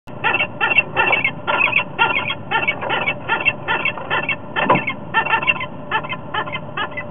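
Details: Wild female peregrine falcon calling loudly on a nest-ledge camera in Topeka, 29 September 2010 at 18:45, as she flies in for a visit; her mate is also audible. Harsh, buzzy notes repeat rapidly, about three per second, throughout.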